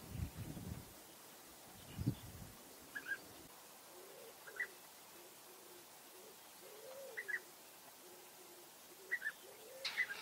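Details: Several brief, rolling European bee-eater (Merops apiaster) calls every second or two in the Eifel, Germany, over low dove-like cooing and a few dull thumps at the start.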